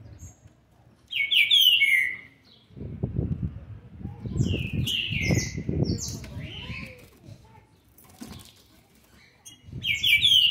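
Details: Young green-winged saltator, seven months and twenty days old, recorded 13 November 2020, sings loud whistled phrases sliding down in pitch near the start, middle and end, separated by stretches of low rumbling and flapping noise.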